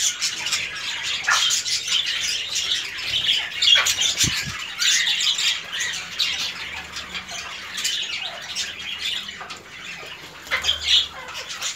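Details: A dancing cockatiel gives a steady run of harsh, scratchy squawks and chattering calls.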